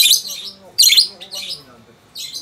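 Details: Two pet lovebirds, a peach-faced and a Fischer's lovebird, calling back and forth to each other indoors: four loud, harsh, buzzy squawk bursts, high-pitched and separated by short gaps, with a faint low hum underneath.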